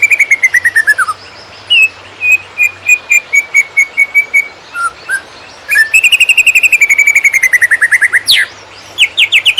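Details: Greater green leafbird song used as a training recording for other birds: strings of clear whistled notes, a descending series, a steady run of repeated notes near 2–3k, then fast trilled rattling phrases and a sharp upward-sweeping note.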